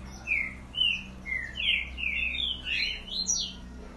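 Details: Green-winged saltator in boiadeiro style, a fast run of about eight short slurred whistles, some rising and some falling, closely packed over steady low hum and hiss.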